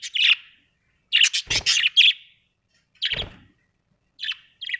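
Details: Home-kept budgerigars make short raspy chirps in small clusters, with a few thumping knocks mixed in and quiet gaps between bursts.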